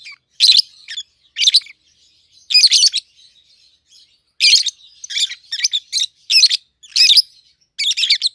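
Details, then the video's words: Two home-bred peach-faced lovebirds aged 7-8 months, red-headed green opaline and red-faced dark green colour forms, giving loud harsh chirps in short separate bursts, roughly one every half second to second, with quieter twittering between. "Peach-Faced Lovebird's Sounds"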